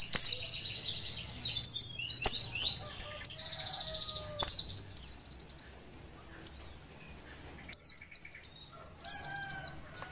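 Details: A female Oriental white-eye in breeding condition gives thin, very high, downslurred chips in quick bursts every second or two, with one fast, buzzy trill partway through; the call is said to stir lazy males into singing.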